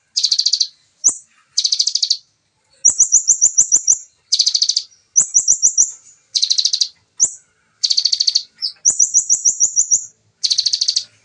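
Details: Bar-winged prinia singing a fast, dense 'nembak' (shooting) style song, recorded as original sound. Short bursts of rapid buzzy high notes alternate with sharp rising chips and quick runs of about eight ticking notes, nearly every second, in clean silence.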